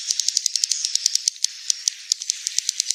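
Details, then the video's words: Swiftlet giving a fast, dry series of sharp high ticks and chirps, about seven per second, with a faint thin whistled tone running underneath. "SUARA BURUNG WALET"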